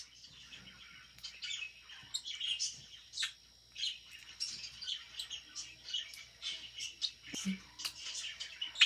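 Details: Pet budgie chirping as it eats: a long, lively run of high twittering chirps and scratchy warbles that grows denser and louder toward the end.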